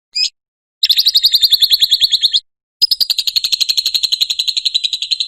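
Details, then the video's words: A lovebird sings ngekek for luring and mastering other lovebirds: one sharp chirp, then two long bursts of rapid, rattling, high trill separated by a brief pause. "Suara Ngekek Burung Lovebird Cocok Untuk Pancingan dan Masteran"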